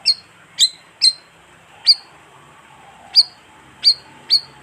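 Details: Bayeman, a colonial bird, calling as a lure for wild birds: three quick high chirps, then a pause, then spaced single notes, each a sharp downward slide into a short thin whistle.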